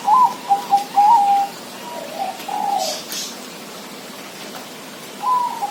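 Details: Zebra dove cooing, opening with a rapid string of soft mid-pitched notes, then a quieter, drawn-out coo and a final short burst of notes.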